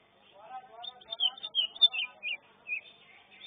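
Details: Greater green leafbird (cucak ijo) singing in the first class of a bird-singing competition: a run of sharp whistled and warbled phrases, some dipping and rising, with quieter lower chatter and murmuring underneath.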